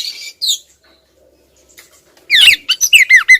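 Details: A female oriental magpie-robin nags the male with calls: a couple of faint buzzy notes, a quiet pause, then a loud run of harsh, downslurred squawks and chirps.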